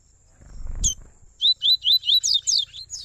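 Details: Double-collared seedeaters, father and son, in a warm-up (esquenta) song: a low thump, then seven bright, high, slurred notes delivered rapidly and evenly, over a faint low hum.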